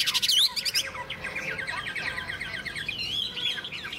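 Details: Caged tame Chinese hwamei singing in morning sun after a meal of fresh food: a rapid, varied stream of high whistled and chattering phrases with sweeping upslurred notes, delivered continuously.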